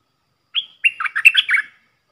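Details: Red-whiskered bulbul, a caged decoy bird, singing a phrase of the kind played for young birds to copy and to lure wild birds: a short whistled note, then a rapid run of warbled, slurred notes, about one second long.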